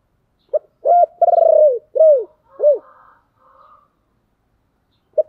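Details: Spotted dove coo meant to set wild doves cooing back: a short pip, then a soft phrase of four coos, the second long and trembling, the last two arched and falling, followed by faint higher notes.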